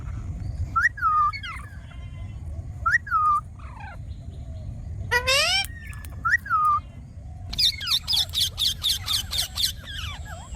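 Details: Ringneck parrot, a rose-ringed parakeet, calling in short whistled notes that dip downward, repeated every couple of seconds, then a rapid run of bright chattering chirps near the end over low background rumble.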